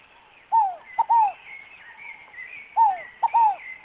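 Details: A scaled dove (Columbina squammata, rolinha fogo-apagou) sings a soft, hollow three-part coo, a drawn-out falling note and then two quicker ones, repeated about every two and a half seconds, while another small bird chatters steadily behind.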